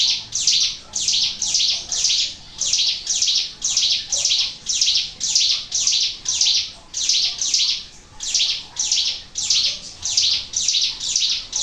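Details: Persistent song of a Sunda warbler, used as a lure: about twenty clear, high, shrill bursts in a steady, evenly spaced run, with little background noise.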